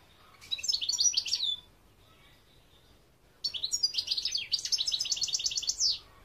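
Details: European goldfinch singing, 2021 recording: a short high twittering phrase, a silent gap of about two seconds, then a long run of quick chirpy notes and repeated trilled syllables.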